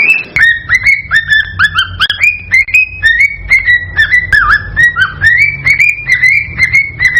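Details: Cockatiel calling to stimulate breeding: clear whistled notes that swoop upward and flatten, some with a short dip first, repeated steadily around twice a second above a low background hum.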